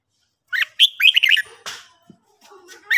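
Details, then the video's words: Red-whiskered bulbul singing in the morning for training: a quick phrase of bright chirping notes, followed by a scratchy noise and soft background sounds, then a final chirp. "luyện chào mào hót buổi sáng"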